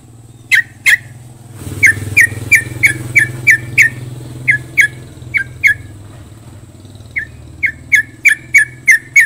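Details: Trucukan singing, a series of short, sharp whistled notes repeated about three per second, paused and resumed, over a steady low engine or vehicle hum.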